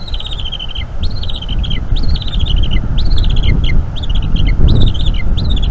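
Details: North East Florida Bald eagle eaglet calling continually as its mother feeds it squirrel on the nest, 8 PM, 5 May 2021; loud rapid piping chitters in descending runs, about one burst per second, over gusty low rumble.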